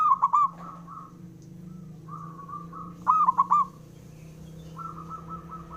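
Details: Local male zebra dove calling to provoke rivals, which answer: loud bursts of rapid hollow coos at the start and middle, with fainter, more distant dove phrases between and after them over a low hum.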